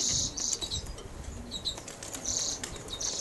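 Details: Male European greenfinch, a captive colour-mutation cock, giving bursts of high, buzzy trills about every second, with soft fluttering and scattered chirps between them.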